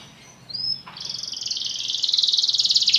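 A Belgian canary sings a bright, high, fast warble: a short whistled note, then a rapid rolling trill that builds steadily louder.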